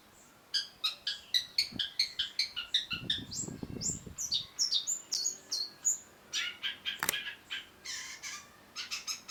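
A Long-tailed Shrike sings a fast, varied run of high whistles mixed with harsh, scratchy chatters, about three notes a second, with a brief low rumble near the start.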